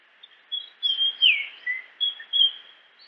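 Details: Japanese grosbeak song of loud fluted whistles, including one strong downward-sliding note, followed by several shorter whistled phrases at irregular intervals against constant hissy background noise.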